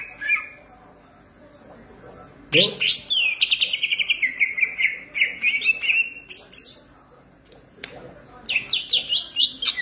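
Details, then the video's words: Green leafbird, a caged bird, singing a long run of rapid, slurred whistled notes that descend gradually, preceded and followed by shorter high chirps. "cucak ijo gacor manteb banget"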